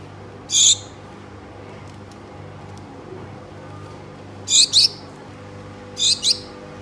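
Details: Gouldian finches kept as pets, a pair calling their mate: a single high nasal call, then two double calls spaced well apart, each note short and sharp, faint indoor hum and light clicks between.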